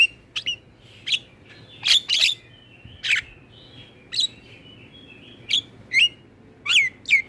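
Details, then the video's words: Black-winged myna singing as a lure for caged birds: well-spaced, sharp whistled chirps and short squeaky notes, repeated at irregular intervals of roughly one second. "Pancingan dan MAsteran Burung Jalak Kebo dan jalak lainnya Langsung Rajin Ngoceh"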